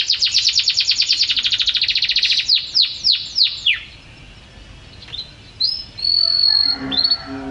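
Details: Canary of champion class sings a dense fast trill that slows into several separate downward-sweeping notes, pauses, then adds a rising whistle and a long steady whistled tone.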